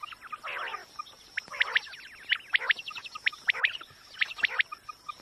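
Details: Quail calling, a sound used to draw birds in for hunting: crisp short notes in rapid pairs and triplets over a raspy chatter, with a constant high-pitched whine and faint background hiss.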